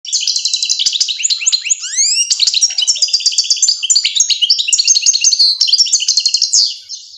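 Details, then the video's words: European goldfinch singing while young fledgling goldfinches learn to feed; a dense, fast twittering song of rapid tinkling notes and buzzy trills, with a few upward sweeping whistles near two seconds, continuous for about seven seconds. "Щеглята учатся кушать под песню щегла"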